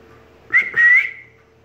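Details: African grey parrot responding to its owner's call with two clear whistled notes, a short one followed by a longer, slightly rising whistle, with a steady faint hum behind.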